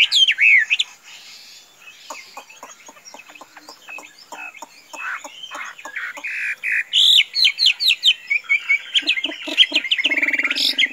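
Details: Chinese hwamei, kept tame and able to roam loose without flying, gives a loud whistled phrase, falls quiet amid clicking, then bursts into sharp repeated notes and a fast chattering series near the end.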